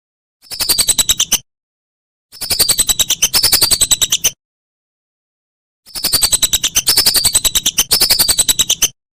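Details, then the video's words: Whistling duck calls used as a tutor recording for songbirds: three bursts of rapid pulsed notes, each carrying high, slightly falling whistles, separated by abrupt silent gaps with no other sounds. "Masteran Burung Belibis"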